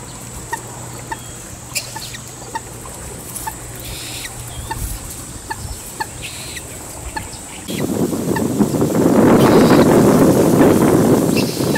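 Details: Two fairly large Common Moorhen young calling for their parent when moving a little away from home: sharp single peeps repeated at a quick, even pace, then swamped by loud rushing wind noise in the second half.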